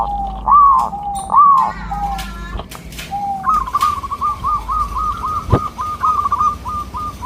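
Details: Local zebra dove song used as a lure for local doves, voice soft and melodious: two lower swelling coos, then a long stream of rapid, evenly repeated beaded notes, with a brief knock midway.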